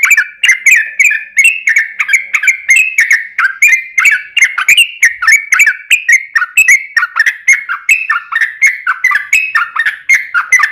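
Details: Trucukan gacor song, long and unbroken, used as a lure to prompt other birds to sing: a steady stream of fast bubbly chattering notes, dense and evenly paced throughout.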